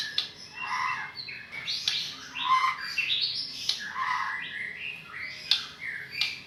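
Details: More distant-sounding song of a white-rumped shama recorded in Medan, a run of varied whistled and chattering phrases over a steady background hiss.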